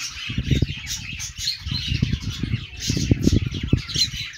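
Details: Happy budgerigar chatter: a dense, continuous warble of scratchy chirps and squeaks, with low thumping and flapping-like knocks underneath throughout.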